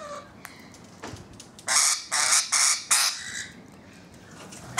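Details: Rainbow lorikeets on a balcony giving a run of harsh, broadband screeches, four loud rasping bursts in quick succession with short gaps, then quieter background.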